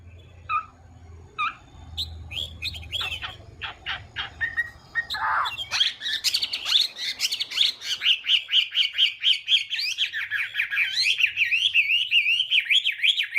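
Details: Chinese hwamei singing in the morning as voice training meant to provoke other birds, opening with scattered chirps and low background rumble, then building into a long run of loud, rapid, rising and falling whistled phrases.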